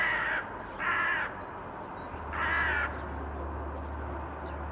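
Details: Three rough, grating caws from crows in a blue sky, 2022. The first two are short and close together, the third is longer, and a low hum runs underneath.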